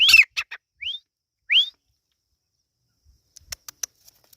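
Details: Irani teetar partridge chicks: a rough chirp followed by two clean rising whistled peeps about half a second apart, then soft scattered clicks and taps.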